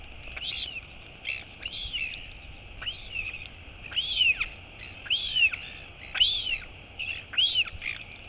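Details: Royal albatross chick wheeing after its mother as she leaves to forage at sea: rhythmic high arched whistled notes, around one per second, some brighter and louder than others.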